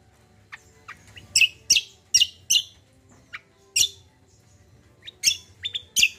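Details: Common iora, singing lively in a combined recording meant as therapy and to stir untrained birds: scattered sharp high chirps and downward-slurred notes, some in quick pairs and clusters, with a faint low hum underneath.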